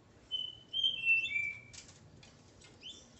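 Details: Male Double-collared Seedeater with his female, giving a short run of clear whistled notes that step down in pitch, followed by a brief rasping burst and a faint high note near the end.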